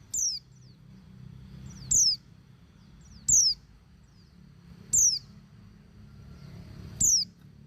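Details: A female white-eye calls to males, a recording meant to stir reluctant males into song. Short piercing high notes slide downward, one about every one and a half seconds, with faint low hum beneath.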